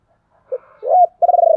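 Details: Spotted dove used as a lure bird, cooing to attract wild doves. A short low coo leads into a longer swelling coo, then a rapid, rolling, stuttered coo phrase, all loud and clear.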